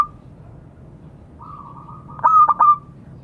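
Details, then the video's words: Local zebra dove calling to companions: a soft wavering hum, then a single burst of three rapid staccato coos blending into a short trill near the end. "Suara burung perkutut memanggil kawan."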